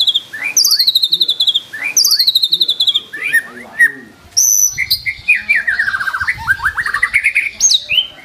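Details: Murai batu, or white-rumped shama, in full vigorous song packed with fill-in phrases: sharp descending whistled sweeps repeat twice, then a long run of rapid chips and rising notes, with bright high whistles mixed in.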